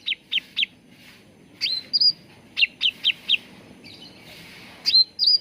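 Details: A cucak ranting bulbul sings on a lure and training recording meant to get birds singing: triplets of crisp chirps separated by upswept whistles, with brief quiet gaps.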